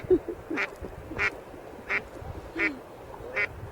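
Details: Alarm-calling female duck on a wintry pond, staying close out of curiosity despite people nearby: five clipped, nasal quacks at uneven intervals, with faint human voices in the background.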